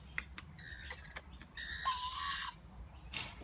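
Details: Baby lorikeet eating with its parents; soft squeaky notes lead into one strong, buzzy, grating begging screech lasting about half a second, followed by a fainter rasp.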